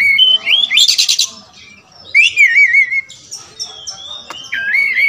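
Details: Oriental magpie-robin of the black kacer wulung type, known for a varied song repertoire: warbled whistles, a loud buzzy rattle, then wavering trilled whistles and a sharp upward-sweeping note ending in a sustained whistle.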